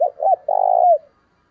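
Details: Single spotted dove phrase from a decoy bird calling to lure wild doves: two short hollow notes, then a long, slightly vibrating coo that slides down at its close, in a quiet setting.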